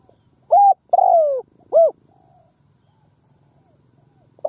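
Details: Spotted dove used as a decoy in a field, calling to lure wild birds: one three-part phrase of a clipped coo, a long downward-sliding croo and a rounded final coo, followed by quiet.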